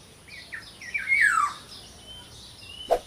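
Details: Small local black-naped oriole gives short notes leading into a rough, descending slur, followed by faint thin whistles and a sharp click at the end.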